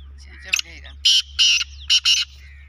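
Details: Black francolin (black partridge, kala teetar) calling: loud, harsh, grating notes, a short burst followed by two longer rasping notes and then a quick closing pair, with a soft low hum throughout.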